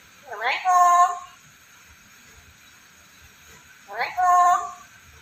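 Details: Black-capped lory, a talkative caged parrot, giving two loud harsh nasal calls with stacked tones, about three seconds apart, against a steady background hiss.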